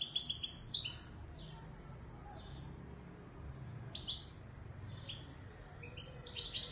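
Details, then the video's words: European goldfinch in the Moroccan Widani Marrakchi style, delivering separate bursts of tinkling twitters: a rich phrase at the start, scattered short chirps with long quiet gaps, then a new lively phrase at the end. "تغريد_الحسون_الويداني_المراكشي الأصيل"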